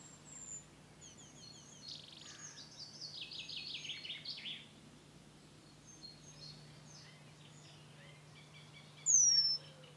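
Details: Eurasian penduline tit at its nest building at Tidö-Lindö, Västerås, Sweden, 2010: thin, very high falling whistles with one loud clear note near the end, over soft twittering chatter and a low steady hum.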